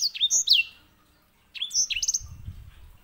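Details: Grey singing finch serving as a master bird for canaries, delivering two quick phrases of high, downslurred whistles and buzzy notes separated by a brief pause, with faint low rumbling underneath.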